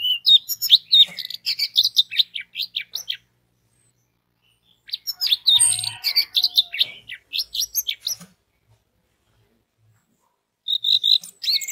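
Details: Lure song of an orange-headed thrush meant to set other orange-headed thrushes singing. Dense, fast bursts of varied chirps and whistles last a few seconds each, with long silent gaps between them.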